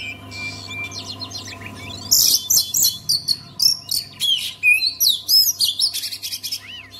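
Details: Oriental magpie-robin song meant to make silent magpie-robins sing: a quiet start, then from about two seconds a loud, fast run of high, varied whistles, chirps and trills repeated several times a second, over a constant low hum.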